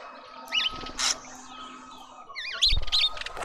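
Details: Mousebirds gathered at a feeder in a suburban garden in Pretoria, South Africa: short, squeaky, wavering notes in quick clusters near the start and again near the end, with sharp knocks and rustling in between and a faint steady hum.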